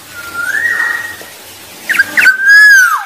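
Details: Wild Black-naped oriole song, used to lure rivals: a smooth rising whistle, a short gap, then quick liquid chips leading into a loud, clear fluty note that swells and falls away at the end.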